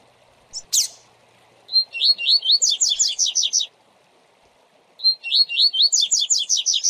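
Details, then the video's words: A captive double-collared seedeater sings a classic "tui tui zel zel" tutor song with intervals, used to teach young birds: two bursts of bright, quick repeated whistled notes, each about two seconds long, over a faint background hum. "Canto Tui tui Zel Zel Clássico Para Encarte Com Intervalos - Coleiro Professor Aprendizado"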